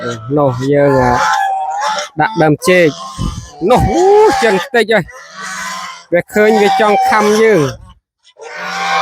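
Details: Hungry geese on a family village farm, eager to peck strangers as they are fed in the evening: bouts of steady and swooping nasal honks, some sliding sharply up and down, with a man talking between them.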